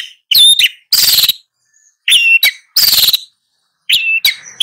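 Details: A long-tailed shrike alternates thin high whistled notes with longer harsh, buzzy rasps in short phrases, separated by brief silences.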